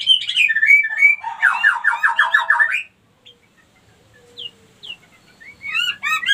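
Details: Female white-rumped shama lure call meant to bring other females into breeding condition. Varied whistled notes open, then a rapid harsh chattering run of about ten notes, a near-silent pause, and sharp rising whistles returning at the end.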